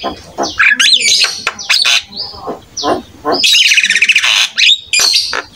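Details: An actively singing Javan myna (jalak kebo) delivers a rich, varied song. Buzzy rasping bursts alternate with short whistled slurs, and a long grating, churring phrase fills the middle.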